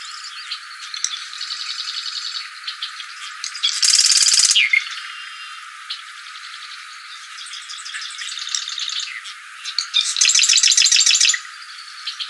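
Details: Plain prinia with quieter twittering phrases, broken by two loud, dense, buzzy trills of under a second each, about six seconds apart.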